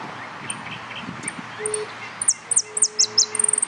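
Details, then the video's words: A saffron finch competing in an all-yellow class contest at Nuevo Irupé sings very high, sharp chips and short falling notes, quickening into a rapid run of clipped notes at the end, over a faint low hum. "Amarillo Completo Concurso"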